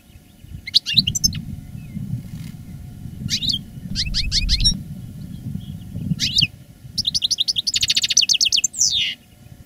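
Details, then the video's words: Veteran master goldfinch of the reclamo singing style, caged and recorded live in 2017 after its moult: separated sharp sweeping notes, then a fast rattling buzzy trill and twitters, with steady low background rumble. "Canto del jilguero "el arrugao""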